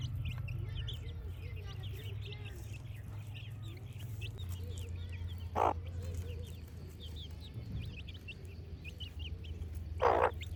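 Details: Young chickens cheeping: small high falling peeps repeated throughout, quiet and overlapping, over a persistent low hum, with two short sharp knocks or rustles.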